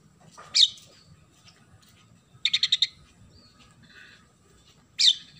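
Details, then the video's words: Oriental magpie-robin singing vigorously, its song filled with sparrow imitations: a sharp falling chirp, then a quick burst of five rasping notes, a few soft twitters, and a final sharp chirp, over a low background hum. "KACER GACOR ISIAN GEREJA"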